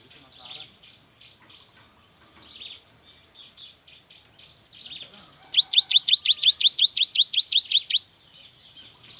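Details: Young cinereous tit singing vigorously to stimulate lazy tits: soft scattered chirps and chatter first, then a loud, rapid run of repeated sharp whistled notes lasting about two and a half seconds.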